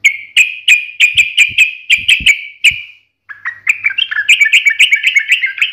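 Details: Yellow-vented bulbul in the 'gacor ngalas tajam tarung' singing style: about eight crisp, clicking chirps at an even pace, a short gap, then a rapid, bubbling warbled run of rising and falling notes.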